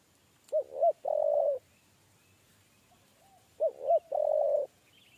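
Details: Repeated 'kuk 3' coos of a spotted dove being trapped. Two phrases, each with a pair of hooped low notes followed by a long level coo, separated by about three seconds of near silence.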